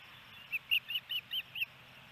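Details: Osprey at its nest in Hellgate Canyon, Missoula, Montana, on May 28, 2018, as the male arrives with a second fish and feeds his mate; six short, sharp whistled chirps follow in quick succession over a steady background hiss.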